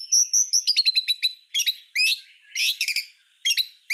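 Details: White-rumped shama song full of rapid bursts, recorded as a master for tutoring other songbirds: high repeated whistles rolling into a quick stuttering series, followed by loud harsh chattering phrases.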